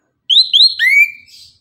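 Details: Morning song of an orange-headed thrush in the 'tembakan' style: two quick rising whistles followed by a longer, lower, slurred whistle that trails off. A clean, clear recording.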